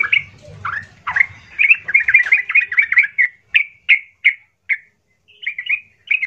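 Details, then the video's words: Yellow-vented bulbul singing harshly to provoke rival bulbuls: gurgling, bubbly notes in a rapid burst, then a series of separate sharp chirps spaced about a third of a second apart, ending in short twittering notes. "hati - hati trucukmu langsung Nyaut penuh emosional mendengar pancingan trucukan gacor kasar ini"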